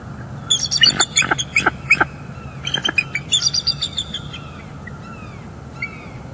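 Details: Wild bald eagle pair at their northeast Florida nest on a December morning, calling during a mating break before resuming incubation: bursts of sharp, high chittering notes, quick and uneven, fading toward the end over steady low rumble.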